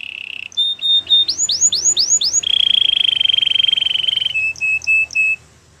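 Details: Canary song mixing a low buzzy trill, a clear held whistle, a handful of descending slurs, a long even rolling trill, then short separate whistled notes.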